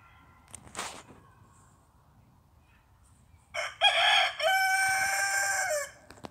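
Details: Rooster crowing: after a faint cluck and background noise, one loud crow of about two seconds, with a short opening syllable and a long, held, harmonic note that drops slightly at the end.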